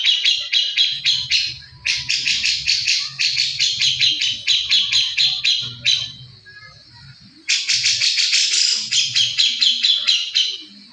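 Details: Grey-cheeked bulbul in recing style, recorded for training other birds: loud bursts of rapid harsh chattering notes with short breaks, one longer pause near the middle, then another long fast run.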